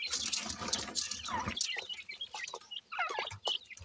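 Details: Young francolin chicks, 28 days old, feed in a yard; scuffling and pecking noise first, then a run of quick high chirps and short curved peeps toward the end.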